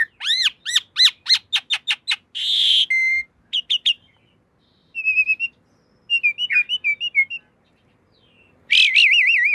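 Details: Asian pied starling song from a cage-bird training master: rapid looping whistles, a harsh rasp, warbled phrases and stuttered note series, ending in a loud wavering whistle.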